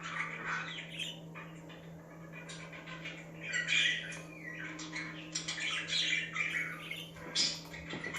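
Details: Budgerigars chirping to liven up other budgies: a quieter start, then busy scratchy chatter and bright squeaks in tumbling bursts, steady electrical hum throughout.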